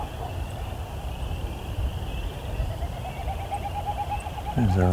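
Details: Wilson's Snipe winnowing display after sunset in breeding season beside a quarry near Hamilton: a hollow, rapidly pulsing tremolo rising in pitch over low rumble of distant traffic, with a bark from a dog a couple of miles away at the end.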